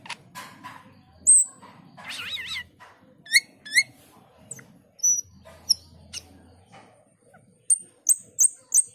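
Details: Male black-winged myna singing energetically and building up its song: irregular bursts of clear whistles, a wavering warbled phrase, sharp high chirps and upslurred notes, all over a faint low hum.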